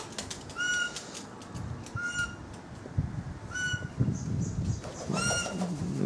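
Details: Black-backed Australian magpie, a wild bird known for singing, at a backyard feeding session with kookaburras and butcherbirds, gives clear, fluty whistled notes, four about every one and a half seconds, over low rumbling wind and handling noise.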